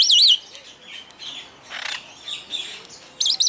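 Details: Superb starling in a German bird park at Walsrode: one loud wavering whistle opens the phrase, then soft scratchy chatter, and a bright trilled note closes it.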